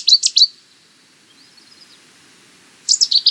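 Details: Two bursts of a Cetti's warbler's loud, rich staccato song, separated by more than two seconds of near silence with a faint warble from another bird.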